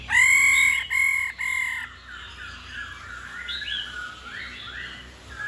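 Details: Female laughingthrush giving its rolling 'ro' call, used to stir males into singing daily: three loud, nasal, harmonic notes in quick succession, followed by softer, varied whistled and warbled phrases.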